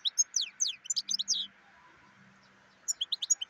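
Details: European goldfinch, black-headed form, singing a fast liquid twitter of high descending and rising notes, a brief gap, then another sprightly burst, all over a constant mid-pitched background hum.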